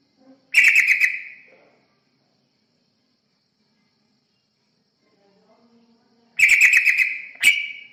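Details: Yellow-vented bulbul, played as a lure to attract other birds: a quick bubbly chattering burst, a long silence, then another burst followed by a brief sharp note, with faint low murmurs between.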